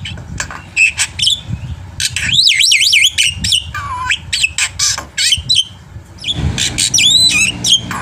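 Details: Black-winged myna in full, varied song meant as a training recording to prompt other birds to sing: loud whistled notes, rapid zigzag warbles, sharp squawks and clicks, one falling whistle, delivered in quick bursts with brief pauses.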